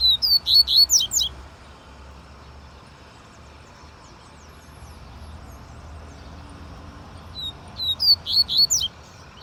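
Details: Double-collared seedeater repeating its song twice, each a rapid one-second run of high, slurred whistles, separated by several seconds of quiet background hum.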